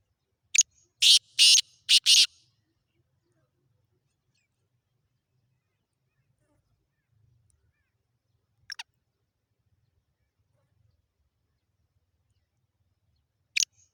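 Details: Black francolin (kala teetar) recorded at Khushab: a quick phrase of four loud, harsh, buzzy notes packed into under two seconds, followed by long silence broken by two brief isolated clicks.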